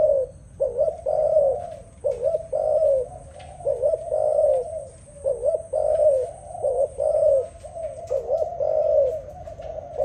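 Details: Singing dove delivering a run of repeated low, hollow coos in short rounded phrases, roughly every half second with brief gaps, steady in pitch and volume, a faint high whine in the background.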